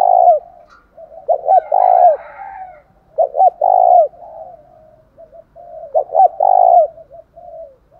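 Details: Decoy spotted dove giving its loud fighting coo, meant to provoke other caged doves: three phrases of two short clipped notes then a long swelling coo, roughly every three seconds, with softer cooing between.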